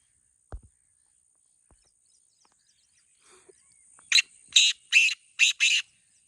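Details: Kala teetar, the black francolin, heard in a two-bird calling contest; after near silence with faint clicks, a quick run of five harsh, rasping notes closes the recording.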